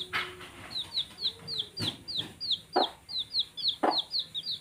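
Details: Baby chicks playing keep up a busy stream of shrill, descending peeps, several each second, broken by sharp tapping and scuffling sounds.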